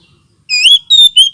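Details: Oriental magpie-robin lure and therapy sound for birds lacking aggression: three loud whistles, the first rising, then a steady level note and a short falling one.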